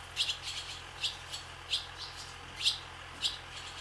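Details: Barn swallows flying over a swallow farm, sweeping along the sky: sharp, high chirped notes, sometimes doubled, coming about every half second to second, clear above a faint low hum.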